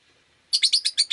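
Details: Rosy-faced lovebird chirping on a rainy day, a quick run of six loud, harsh chirps following a faint low background hum.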